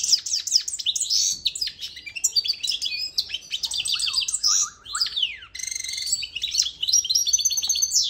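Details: Goldfinch mule in continuous song meant for training fledglings: rapid high twitters and chips mixed with a few lower whistled rising-falling notes and buzzy trills.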